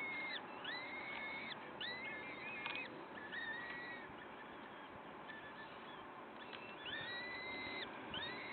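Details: At a Wakefield peregrine nest, 06:55 on 5 May 2021: series of rising, drawn-out whining calls with some sharp clicks, set against constant noisy hiss.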